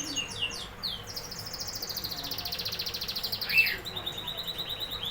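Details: Canary song with a fast, even buzzy trill of rapidly pulsed high notes lasting several seconds, preceded by a few descending whistles and ending in a sharp accent and a new phrase.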